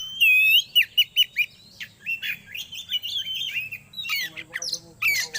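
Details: Oriental magpie-robin vocalising on a recording used to bring birds into breeding condition: a clear rising whistle, then several sharp descending chips, a scratchy chattering passage and a harsh, squawking burst near the end.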